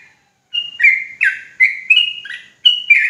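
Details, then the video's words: Bright, chattering song of a sooty-headed bulbul (trucuk jawa), aimed at stirring other bulbuls into fast ropel song. Quick, fluty notes swoop downward, some higher and some lower, in close succession with short pauses. "Bikin Trucukan Lain Ikutan Ropelan Garuda dan EMOSI Ketika Dengar Suara Trucuk Jawa Ini"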